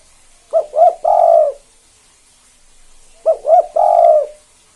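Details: A caged spotted dove in constant calling form, kept as a model to prompt other doves to call, gives its 'kuk 2' phrase twice: two short clipped notes and then a longer, rolling, low coo.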